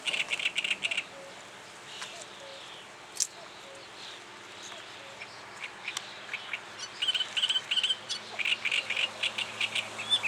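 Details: Reed warbler giving its advertising song: scratchy, chattering bursts of high notes, clustered near the start and again toward the end, separated by quieter gaps with faint background hiss.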